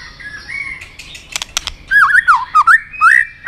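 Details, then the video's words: White-rumped shama excited into fight-singing with tail flicking: a soft thin whistle and clicks, then loud, fluid, rolling whistled phrases that swoop up and down. "kích lửa cho chòe lửa hót"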